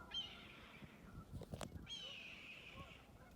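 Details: Red-tailed hawk calling while hunting: two long, hoarse screams, each about a second long and slurring downward, separated by a short pause with a few sharp knocks, over a low background rumble.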